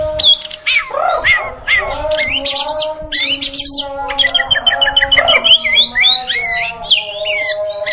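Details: Female oriental magpie-robin sound used to agitate males: a dense mix of rising whistles, harsh squawks and rapid chattering notes, with a steady tonal hum in the background.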